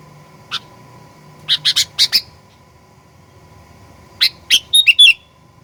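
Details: Sooty-headed bulbul lure song meant to provoke rivals into fierce singing: a lone sharp note, then a quick run of four, a pause, and a burst of chattering notes ending in a short warbled phrase.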